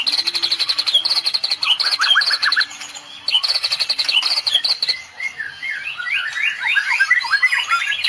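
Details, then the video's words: Medan white-rumped shama singing a 'tembakan' song fully filled with cililin phrases. Rapid repeated high ticking notes over a steady low hum. It then breaks into varied, quick rising and falling whistled notes. "Tembakan murai medan full cililin"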